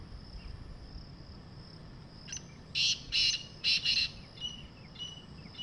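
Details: A wild black francolin calls in the jungle with a short series of four rasping, buzzy notes, paired and evenly spaced over about one and a half seconds, then stops; faint distant chirps and soft background hiss around it.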